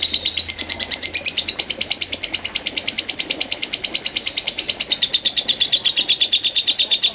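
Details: Lovebird in long 'konslet' ngekek chatter, a recording used as a master to train lovebirds and lengthen their ngekek: a fast, unbroken stream of high, sharp chirps, about ten per second, holding steady for the whole stretch.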